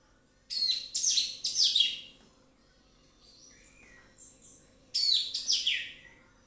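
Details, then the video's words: Relaxed lure song of an orange-headed thrush: loud bursts of fast, harsh, tumbling notes, a quieter pause with soft varied whistles, then another rapid scratchy burst. "ANIS MERAH NGEPLONG SANTAI,PANCINGAN ANIS MERAH AUTO BUNYI"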